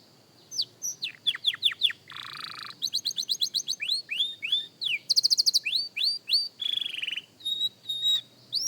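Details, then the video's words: Young canary in song practice, alternating falling whistles with a harsh buzzy note, a rapid high trill and a steady drawn-out tone, phrases changing every second or so. "Young Canary Singing Practice – Surprisingly Good for a Beginner!"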